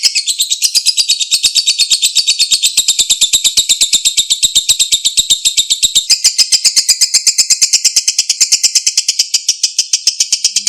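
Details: Long ngekek song of a lovebird, played to get a quiet bird singing again: an unbroken run of rapid, shrill, rattling notes, steady and slightly accelerating, lasting over ten seconds.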